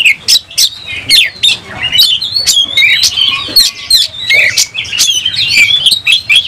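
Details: Fighting oriental magpie-robin with fanned tail, singing in excitement: sharp clicks and bursts of varied, high whistled and scratchy notes, brief gaps between quick phrases, a faint low tone in the background.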